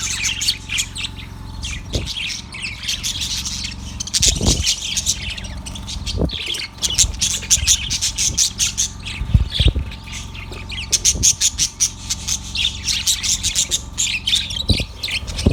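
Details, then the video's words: A yellow budgerigar chatters continuously on February 18, 2024, in quick bursts of harsh, buzzy high chirps and warbles, with occasional low clicks and a steady hum. "Yellow budgie chirping sound"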